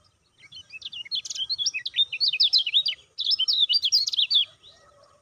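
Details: Lemon-bellied white-eye (kecial kuning), a stimulating call for caged birds: two long runs of fast, high, metallic chirps with sharp up-and-down notes, about three per second, separated by a brief pause, with faint low background chatter.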